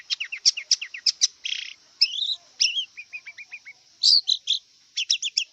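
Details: Wild long-tailed shrike song, a varied medley: quick falling chirps in a run, a harsh buzzy note, rising whistled slurs, a descending series of short clipped notes, then more scratchy high chirps.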